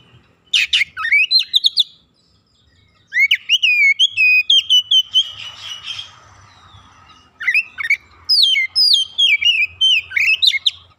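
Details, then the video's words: Oriental magpie-robin in training, singing continuously in gacor fashion and pouring out learned fill-in phrases: three bursts of rapid whistles, sharp upsweeps and stepped descents, with a softer buzzy passage between. "Kacer bahan langsung gacor bongkar isian"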